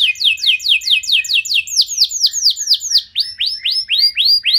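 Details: Canary singing a 'nembak' lure song to prompt other canaries: steady repeated high down-slurred whistles about five per second, shifting midway to a slower series of rising-then-falling notes.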